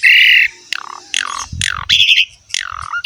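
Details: Asian pied starling phrases from a lure recording for young birds: a loud harsh buzzy note, then descending squawky slurs and a short trilled whistle, with gaps of quiet between the rough calls.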